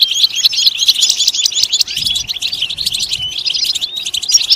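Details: European goldfinch song meant to stimulate singing: quick tumbling twitters and short clear whistles mixed with buzzy notes, with a faint low rumble in the background.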